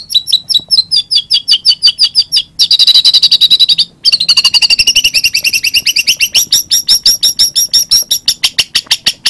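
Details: White-rumped shama song: rapid bright chattering notes repeated about three per second at high pitch, with a brief pause near mid-phrase, then a more continuous run of high whistled and trilled elements, with a faint low background hum.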